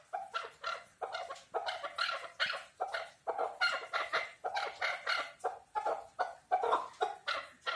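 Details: Chukar partridge calling: loud, harsh clucking notes repeated rapidly in a steady run, about two to three per second, each a rasping chuck, continuing without pause throughout.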